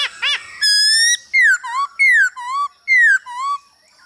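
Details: Male laughingthrush singing to a female's calls, a training recording for cage birds: quick stacked notes, a long level whistle, then four loud downslurred whistles each followed by a short low upturned note.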